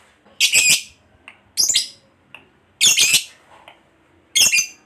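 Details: Lovebird giving its long chattering 'ngekek' song, played as a lure to prompt other lovebirds to start singing quickly; four harsh, raspy shrieking bursts, each under half a second, spaced roughly a second apart.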